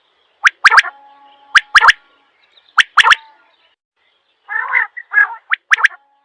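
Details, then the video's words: Big quail giving crisp, explosive call phrases of two or three fast notes, repeated roughly every second. Rough, scratchy calls and faint chirps follow near the end. "Mote Batair Ki Awaz"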